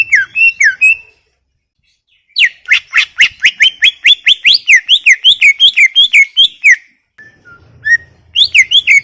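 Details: Greater green leafbird in full song, a long rapid stream of sharp rising and looping whistles, many notes per second, opening and closing with shorter bursts after silent pauses.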